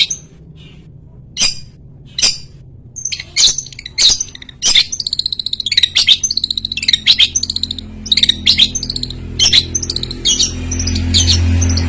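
A long-tailed shrike delivers a fast run of sharp, high chirps and scratchy chatter, with a steady low hum swelling near the end.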